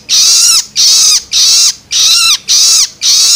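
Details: Six harsh screeches from a juvenile long-tailed shrike's loloan begging, used to stimulate adults, evenly spaced at about two per second, each with a clear descending tone beneath the rasp.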